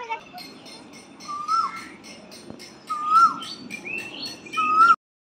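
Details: Asian koel singing in spring from a peepal tree beside a temple, 5 April 2025, gives three clear, rising whistled notes about one and a half seconds apart, over high twittering from other small birds.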